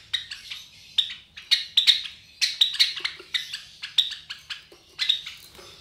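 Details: Java sparrow young roughly 23 days old, a captive brood of three from white Java sparrows, chirping rapidly and insistently, about one high clipped note per second, often in close double or triple runs.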